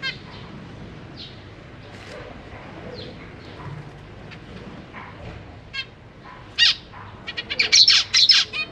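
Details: Caged zebra finches, a pair of parents with three juveniles and three newly fledged chicks, recorded 4 May 2023 while feeding young: scattered short nasal notes early, building into a rapid cluster of loud harmonic calls near the end.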